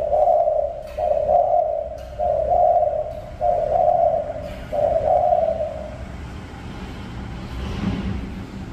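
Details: Spotted dove of a mountain area sings five low, breathy coos in a row about one second apart. The coos stop, then a soft rustling background follows.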